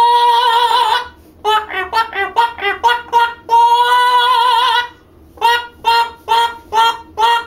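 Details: A 9-year-old male pet mealy amazon sings operatically: long, wavering, vibrato-rich notes at mid pitch, then a quick run of short syllables and more held tones. No other sounds.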